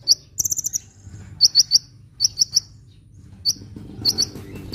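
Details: Sunbird in full song, used to lure birds and set reluctant birds singing: short clusters of two to four piercing high chirps separated by brief pauses, with one higher jingling burst and soft background hum.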